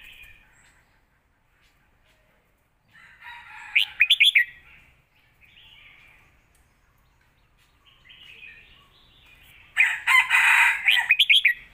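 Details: Red-whiskered bulbul kept in a cage, singing a strong 'lak wai' style song used to train young birds. Soft warbling swells into a rapid trilled flourish, and a noisy burst of rapid notes follows near the end.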